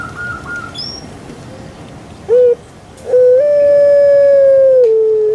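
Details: Domesticated puter pelung dove of Java, Indonesia, calling: two clipped notes followed by a long drawn-out mellow tone held for about two seconds, dipping slightly at its tail.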